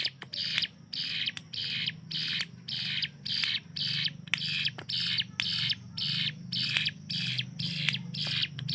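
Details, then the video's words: Tutor hill prinia, caged, singing the rapid-fire style prized for training competition birds. Coarse buzzy notes repeat about twice per second over a low background hum. "CIBLEK GUNUNG || Melatih Speed dan Tembak Burung Gacoan"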